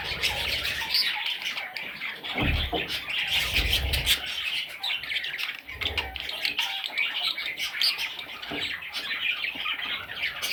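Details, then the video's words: Several parrot chicks chatter steadily in high, scratchy squawks and chirps, broken by occasional low thumps and rustling. "Parrot Chicks"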